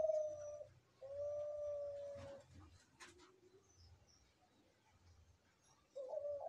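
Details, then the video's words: A captive spotted dove, one of three birds, gives low, mellow, steady "deg kutruuu kuuu" coos: a short note, then a long drawn-out one, with another starting at the end, over a faint low rumble. "Inilah Derkuku Sedang Bunyi"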